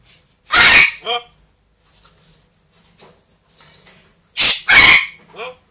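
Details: Two pet parrots, a two-year-old African grey and a one-year-old Amazon, giving two bursts of loud raspy squawks mixed with short tonal, voice-like notes, and quiet soft chatter in between.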